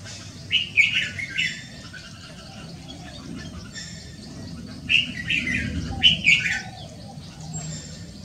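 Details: Red-whiskered bulbul, recorded on a Wednesday afternoon on 6 December 2023, gives three short bursts of clear, warbling whistled phrases spaced several seconds apart, with a soft low rumble underneath.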